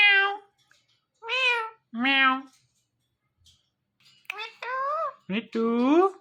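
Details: Talking ringneck parrot repeating meow-like mimicked words. Rich, harmonic syllables come in short bursts, with a pause in the middle, then a quicker run of bent, wavering notes at the end.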